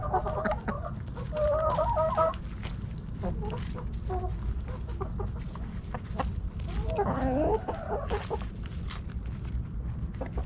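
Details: Backyard chickens, hens and roosters, snacking at Thanksgiving; clustered bright clucks open, then quieter scattered notes, and a tangled burst of calls near eight seconds over a low rumbling background.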